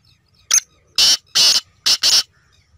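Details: A black francolin (Francolinus francolinus) gives a harsh, grating phrase of five high rasping notes, a short note, two long ones, then short and long again, over near-silence.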